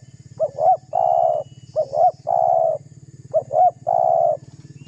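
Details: Spotted dove cooing vigorously to draw out a rival: three even phrases about every second and a half, each a pair of short bent notes then a long coo, against a constant low pulsing drone.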